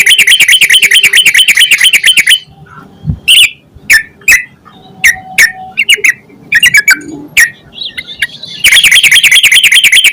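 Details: Energetic yellow-vented bulbul song meant as a lure for other bulbuls. A rapid harsh chatter opens and closes the passage, and between them come loud, separate, sharp chirps and short whistled notes.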